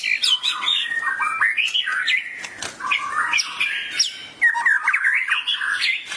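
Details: White-rumped shama said to burst into excited song on hearing a tutor recording; dense, busy warbling of overlapping scratchy and whistled notes that rise and fall quickly, with few gaps.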